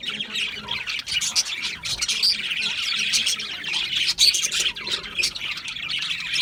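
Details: Budgerigar chatter, continuous scratchy warbling with two clear whistled notes standing out above the busy, overlapping chirps of several birds.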